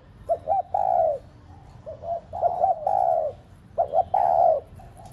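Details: Cooing spotted dove used as a decoy to excite pet doves: paired short hoots lead into long, smooth, falling coos, three phrases with brief quiet gaps.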